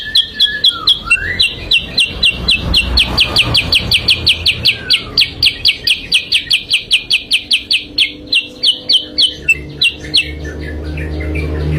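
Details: Sooty-headed bulbul song played as a trapping lure (pikat kutilang sutra): loud, rapid, evenly spaced high chips repeated about four times a second for ten seconds, with a few slurred whistles early on and a low rumble behind.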